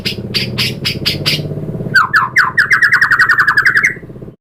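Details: White-rumped shama used as a lure for other shamas: harsh buzzy bursts, then a fast rattling run of clipped notes repeated several times a second, over a low background hum.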